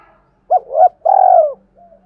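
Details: Spotted dove luring call for wild doves: a short coo, a swelling coo, then a long purring note falling away, followed by a faint low trailing tone.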